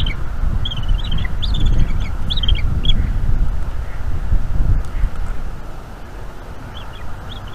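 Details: Bald eagle eaglet on a nest in North East Florida, calling while its mother feeds it squirrel in the evening of 5 May 2021. Bursts of high, thin chirps in quick series during the first seconds, over heavy wind rumble.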